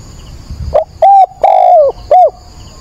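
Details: Spotted dove decoy calling at sunrise, 22 October, meant to lure and excite wild doves: a short rough opener, a level coo, a long descending coo and a brief curved last note, faint low rumble and high whine in the background.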